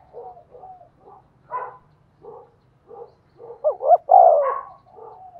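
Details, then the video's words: Spotted dove decoy calling to prompt cooing in other birds; a run of soft, low coos repeated roughly every half second, building to loud, wavering, rolling coos near the end. "tiếng cu mồi thúc bổi"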